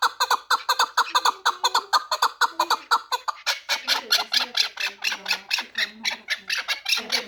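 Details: A four-year-old Pamir chukar partridge, bred for fighting and hunting, keeps up a rapid rhythmic chatter of harsh chuk notes that turns rougher and louder after a few seconds, over faint low voices.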